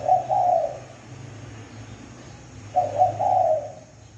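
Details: Spotted dove lure call: two mellow cooing phrases about two and a half seconds apart, each a short note followed by a drawn-out coo, against a background low hum.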